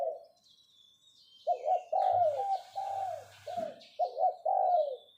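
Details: Captive decoy spotted dove giving its 'phroh' luring call: after a quiet start, a run of mellow, low cooing notes, some doubled and some drawn out with a falling tail, in quick bursts, with a faint low hum and light rustling behind.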